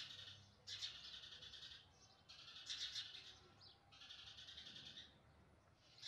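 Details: Baby house sparrows being fed, calling for food: loud, buzzy, drawn-out chirping bursts repeated about every second, with harsh high peaks and short pauses between them.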